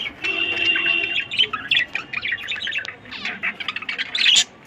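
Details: Breeding colony of 100 pairs of budgerigars: a busy chorus of scratchy chirps, squawks and quick warbling notes tumbling over one another, loud and continuous, with sharper squawks near the end.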